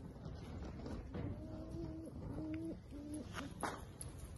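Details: Attwater's prairie-chicken booming in summer 2022: a series of low, hollow hooted tones, each about a second long, that come one after another with brief gaps. Faint hiss and scattered clicks sit in the background.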